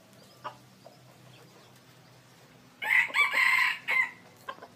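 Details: Red junglefowl decoy rooster, described as big, long and a good crower, gives one harsh, loud, multi-part crow of about a second and a half: a strong opening burst, a sustained middle and a clipped final note, with faint clicks before and after.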